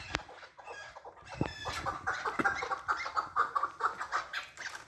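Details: Chukar partridge giving clucking calls: a few sharp clicks, then a rhythmic run of throaty chuk notes, roughly two per second, growing steadily louder.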